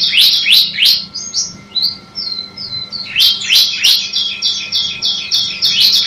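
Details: Ciblek (bar-winged prinia) masteran song: a rapid series of high, slurred chirps, a short pause with softer whistled notes, then another dense run of repeated sweeping notes.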